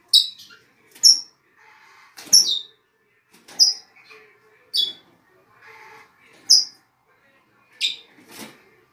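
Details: Red-rumped parrot singing to encourage a pair to mate: sharp, high, downward-sliding whistles given roughly once a second, broken by loud clicking and rattling noises between the notes.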